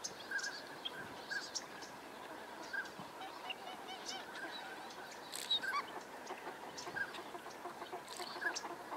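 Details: Northern pintails courting in Sacramento Valley, California, with drakes displaying on the water and in aerial chases, give short, fluty whistled notes every second or two, with soft chattering and clicking from other waterfowl behind.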